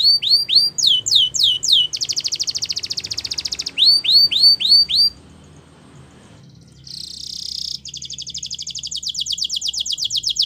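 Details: Champion canary song meant for training: fast series of downslurred whistles, a dense buzzy trill, more swooping whistles, a near-silent gap, then a hissing roll leading into a rapid pulsed trill.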